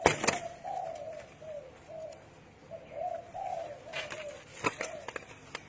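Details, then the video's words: A soft, low, hollow cooing phrase of several slurred notes over about five seconds from a spotted dove, possibly a hybrid kept as a pet, with a few sharp clicks and rattles nearby. "Spotted Dove Cooing"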